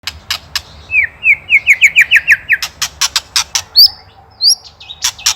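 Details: White-rumped shama from Indonesia, a master recording for training songbirds, with ketrekan chatter: a run of about ten quick repeated downslurred notes, framed by sharp dry clicks and a few high whistled notes.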